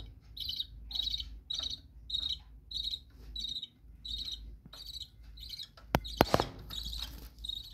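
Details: Captive budgerigars in a bird room chirp in a steady run, about two bright, high notes each second, with a few sharp knocks and rattles near the end.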